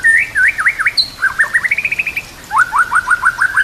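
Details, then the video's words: White-rumped shama song used as a tutor recording for training other shamas, filled with imitations of other birds' songs; quick upslurred whistled notes, then a run of short rising chips and a fast repeated trill of falling notes. "MASTERAN MURAI BATU ISIAN KAPAS TEMBAK KENARI CILILIN"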